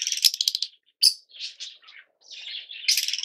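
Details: Yellow Fischer's lovebirds give a stuttering, rattled series of shrill notes, then single squeaks and a softer buzzy trill, ending in another burst of harsh chatter.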